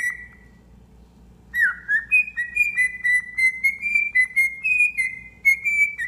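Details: Tame pet cockatiel whistling a tune: after a brief opening note and a pause, a string of clear, bright whistled notes that step gradually upward, with a faint low hum behind.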